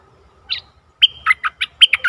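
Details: Decoy bulbul luring a wild bird, 11 August 2021: a single note, a half-second pause, then a fast string of clear, bubbly, warbled notes rising and falling.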